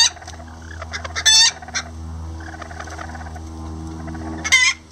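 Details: Miniature Lavender bantam chickens, roosters helping a hen build a nest; quiet scattered clucks over a low steady hum, with two short, loud, harsh squawks.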